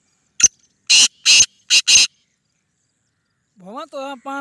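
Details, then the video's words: Kala teetar, or black francolin, a speeder type said to call nine times per minute, gives a short series of five harsh, grating notes, then a human voice rises after a pause. "Kala Teetar Ek Minute 9 awaz black Francolin one Minute 9 built"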